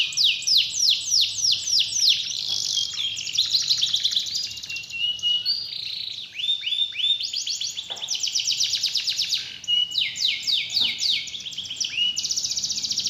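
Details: Long canary song used to prompt a silent canary to sing: bursts of rapid descending sweeps, buzzy rolling trills and brief whistles, with short pauses between phrases.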